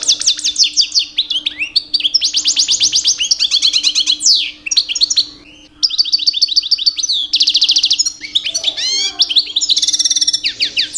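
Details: Rich, near-continuous song of a two-year-old captive European goldfinch singing in mating season to attract females: dense rapid trills, tinkling twitters and buzzy rattles, with one short pause around the middle.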